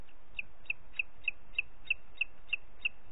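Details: A booted eagle in Parc Natural dels Ports on 30 June 2021 at 11:01 utters nine clear, high, whistled notes in about three seconds, evenly spaced and equally loud, against a soft background rush.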